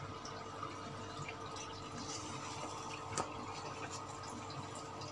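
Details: Dripping and trickling water in a small indoor room over a steady low hum, with one sharp click near the middle and no animal voice.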